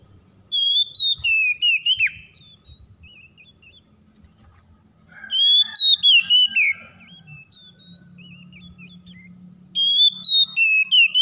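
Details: Oriental magpie-robin singing, used as a lure to get a silent magpie-robin singing: three bursts of bright whistled phrases with quick up-and-down slurs, separated by pauses of a few seconds, with a low hum in the background.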